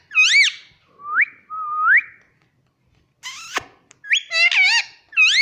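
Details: Indian ringneck parrot kept as a household pet; a run of rising whistled notes and wavering whistles, broken by one harsh raspy squawk, then more bending whistles close together.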